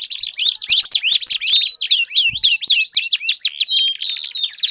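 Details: Canary song used as a prompt for a silent canary: rapid series of crisp, crossing downward-slurred chirps forming a fast, unbroken high-pitched trill.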